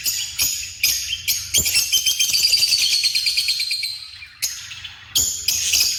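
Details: Several African lovebirds chattering with rapid, shrill, buzzy screeches: short repeated shrieks, then a long continuous rasping chatter of about two seconds, followed by more sharp bursts.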